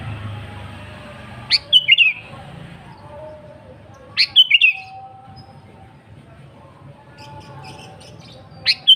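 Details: Sooty-headed bulbul, a lively singer, used as a lure to call rival and wild bulbuls: short bubbly whistled phrases around the upper-middle pitch, three bursts spaced a few seconds apart, with quiet low background hum between.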